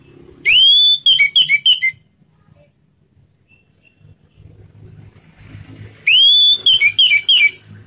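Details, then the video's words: Orange-headed thrush singing in a slow "ngeplong" style, used as a lure to prompt other birds to sing: two loud bursts, each a rising clear whistle followed by quick chopped notes, separated by a quiet gap with low rumble. "Suara Anis Merah Ngeplong Slow"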